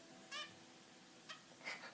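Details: Cotton, a pet zebra finch, sings a few short, nasal, buzzy notes in quick succession.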